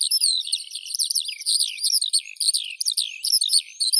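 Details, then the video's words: Continuous skylark song: dense, bubbling chirps and rising-falling slurs tumbling over one another at a hurried pace, bright and high, nothing else audible. "Skylark Birdsong"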